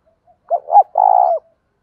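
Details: Spotted dove cooing, recorded for daily training of wild-caught doves, male and female voices: a quick pair of short hooting notes followed by a sustained vibrating coo that drops slightly as it ends.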